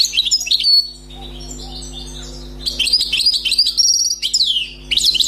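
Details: A newly caught wild European goldfinch sings in quick bursts of bright, tinkling twitters and buzzy trills, with a short pause midway, over a faint steady electrical hum.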